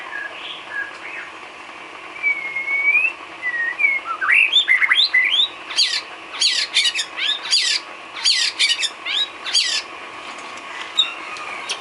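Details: White-rumped shama filler song for training cage birds: soft whistles, then loud sharp clipped notes and short buzzy phrases delivered in quick bursts.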